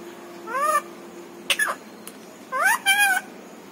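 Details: Talking pet parrot that says papa, mummy and other words; two rising, tonal vocal sweeps separated by short clicky squawks, in a quiet room.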